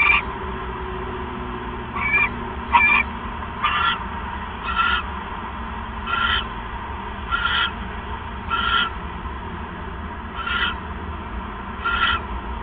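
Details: Owls bonding during an evening visit on 7 January 2015, heard at a live owl camera. Short raspy calls with bright overtones are repeated roughly once a second over a steady low hum.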